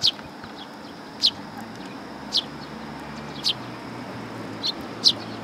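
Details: A group of sparrows arriving at a Tenmangu shrine to be fed, 27 August 2022, giving clear single bright chirps roughly once a second against a soft constant background hum.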